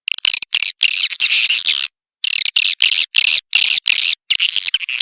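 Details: Swiftlet lure sound called Tombak Raja, used to attract swiftlets: shrill, dense chirping twitters in short bursts separated by abrupt silent gaps, with one longer pause near the middle.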